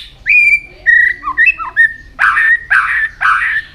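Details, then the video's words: Training song to make a white-rumped shama sing fast and in many voices: long clear whistles with short twisting notes, then three loud, harsh, rasping phrases. "luyện chòe hót nhiều giọng.kích chòe lửa hót nhanh căng"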